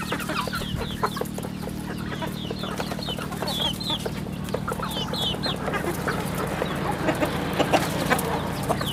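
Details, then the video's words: Chicks of a rural home chicken farm cheeping in a dense, irregular stream of high downward-sliding peeps, backed by a persistent low hum. "Good chicks sounds in the farm"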